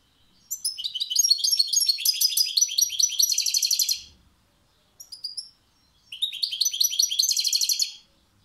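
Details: European goldfinch, called a maestro, delivers a long run of rapid, tinkling twitters ending in a fast buzzy trill. A short chirp and a second, shorter twittering, trilled phrase follow after a pause.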